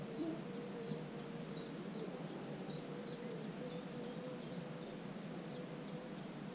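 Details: A common cuckoo nestling sits in the nest of a marsh warbler, recorded 27 June. It gives a rapid, regular series of short, high, falling notes, roughly three per second, over a faint hum and broad low noise.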